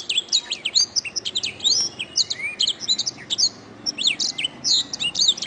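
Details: Canary singing as a master recording for training other songbirds. Dense strings of high, sharp chirps and downward-sweeping notes run almost continuously, broken by a few short gaps.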